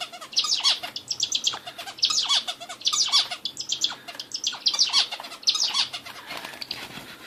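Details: Bulbul song: repeated bursts of bright, scratchy chattering notes with downward slurs, phrases roughly every second over faint background hiss.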